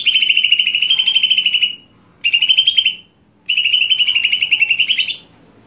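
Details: Three long phrases of rapid, rattling trills from a greater green leafbird in stelan song style, each held at an even high pitch for one to two seconds, the last ending with an upward flick; brief silences between.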